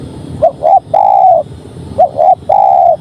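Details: Tekukur, or spotted dove, giving its cooing song: two short clipped coos then a long, level, drawn-out coo, the phrase heard twice in quick succession against a quiet background.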